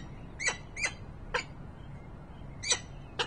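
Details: Peregrine falcon at its nest in Harrisburg, Pennsylvania, on 28 November 2020, giving five sharp, scratchy chips with bright overtones and uneven gaps. Soft low background rumble throughout.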